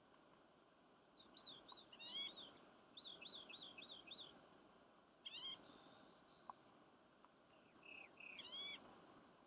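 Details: One of several green-tailed towhees in a draw on Steens Mountain Loop gives catlike mewing calls: quick runs of three to five high arched notes, broken by louder rising mews; a rock wren is in the background.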